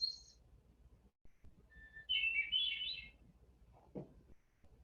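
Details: A Hermit Thrush sings its common song, opening with one clear, solitary held whistle, then a quick, higher flurry of ringing, flute-like notes layered at several pitches at once from its multiple voice boxes; a soft thump follows.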